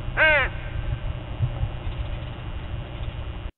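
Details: At dawn among a murder of crows, a single strong rasping caw opens the clip, followed by quiet low background hum.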